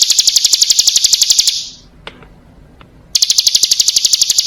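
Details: Calling female bar-winged prinia, used as a lure to make mountain prinias answer: a fast, high, evenly pulsed chatter stops for over a second with a faint click, then starts again.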